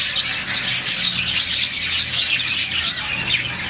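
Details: About 40 budgerigars kept in a colony, chirping in the morning as happy birds do; busy high twittering with bursts of brighter squawky notes over a steady chorus.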